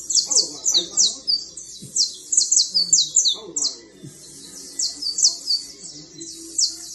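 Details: Fine canary of creole type trilling in a long, high, rapid series of downward-swept notes, grouped in bursts with brief gaps, over faint low background sounds.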